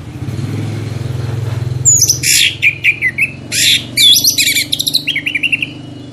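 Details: Orange-headed thrush singing, used as a lure to make other birds sing: varied loud whistles, slurred rising notes and short chattering phrases over a steady low hum.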